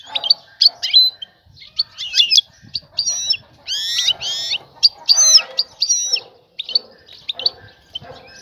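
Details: A female European goldfinch ready to mate calls to the male, luring him to pair and build a nest; busy run of bright, liquid twitters and buzzy harmonic notes, nearly continuous, with little background noise.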